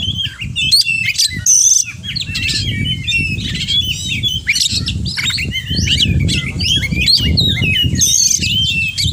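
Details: Oriental magpie-robin (kacer) in continuous 'gacor' song loaded with 'isian' phrases: crowded chirps, sweeping whistles and scratchy notes with a few thin high tones, over a noticeable low rumble.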